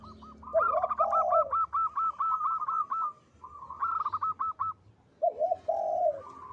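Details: Vigorous song of a local zebra dove, praised for its loud, long, sweet voice: a low coo, then a long rapid series of staccato notes, a second series, and a final low rolling phrase.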